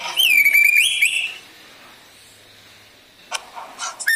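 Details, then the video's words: Black drongo song used as a lure to make other birds sing: a loud, pure whistled phrase with a slight rising wobble lasting about a second, then quiet, ending with short sharp whistled notes. "Burung srigunting kantil hitam | srigunting bukit gacor | pancingan"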